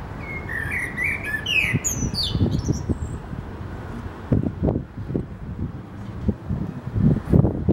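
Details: A common blackbird at Vienna's Gate in Bratislava gives one mellow, fluted warble rising into a thin, squeaky twitter, then falls silent over low rumbling thuds and city noise.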